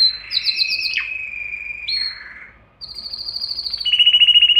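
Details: Canary song meant to arouse both sexes for mating, with buzzy trills, long sustained whistles, a short pause, then a high steady note and a rapid pulsing trill.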